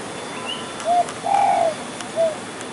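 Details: Likely male spotted dove calling near a hunting spot: a short coo, a longer drawn-out middle note, then another short coo, mellow and mid-pitched over quiet rural background with a faint higher chirp.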